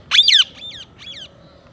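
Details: Green ringneck parrot giving one loud harsh screech, then two fainter repeats of the same rising-falling squawk, over a quiet background.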